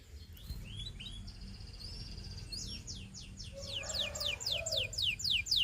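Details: Belgian canary song used to coach young canaries. Faint twitters give way to a steady series of descending whistled sweeps, about four a second, over a noticeable background hiss.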